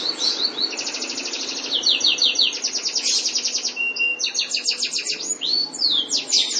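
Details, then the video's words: White canary singing loudly: continuous high rolling trills, rapid repeated chirped phrases and occasional downward-swooping whistles, changing tour every second or so with hardly a pause. "White Canary Bird"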